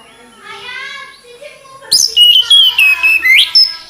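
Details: Mountain flycatcher (tledekan gunung) song of clear high whistles, level then dipping and rising, about seven notes in two seconds after a soft low murmur.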